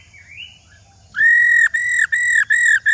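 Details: A female White-browed laughingthrush, described as an old wild bird, gives a faint rising whistle, then four loud, clear, level whistled notes in quick succession, each about half a second long and dipping slightly at its end.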